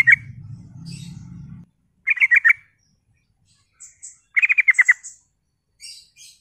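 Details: A lure song of the sooty-headed bulbul, used to stir up other bulbuls. Quick stuttering runs of five to eight chattering notes come in short phrases, with faint high thin notes between the bursts and a low hum at the start.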